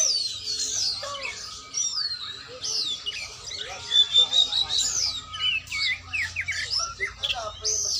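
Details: Training session of an oriental magpie-robin: a continuous jumble of rich whistles, trills and rising and falling phrases, with a steady low hum and some faint background voices.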